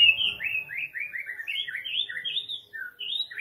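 White-rumped shama singing a rapid run of clear, slurred whistles, about three per second, dipping and rising in pitch with short varied phrases.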